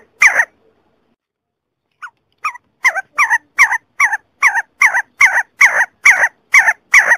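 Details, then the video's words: A See-see partridge, a mountain bird, gives a quickening run of short, rough, two-part notes, about two or three a second, growing steadily louder, with no other sounds. "Sesu Sesi Partridge Bird voice Sound"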